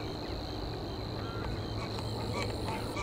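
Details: Savi's warbler (Locustella luscinioides) at Leiderdorp, the Netherlands, on 25 June 2024, reeling a steady, high, insect-like buzz without a break, over a low rumble of wind or distant traffic and a few faint notes from other birds.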